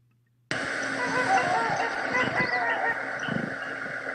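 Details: Two trumpeter swans flying away at about 400–500 m in central British Columbia in late March give hoarse, horn-like honks, repeated unevenly over a steady hiss of background noise.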